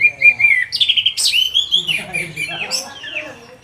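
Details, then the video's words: Caged red-whiskered bulbul (anis merah) singing, used to prompt other birds to sing: a clear held whistle, then sliding, rolling warbled phrases with quick chirps, fading toward the end indoors. "ANIS MERAH CEPAT BUNYI DAN TELER"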